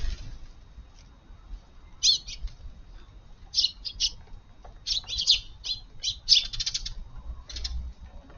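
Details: Eurasian tree sparrows feeding in a garden on a July 16 morning after early rain. Bright chirps come in small clusters over a low background hum, growing busier toward the middle of the recording.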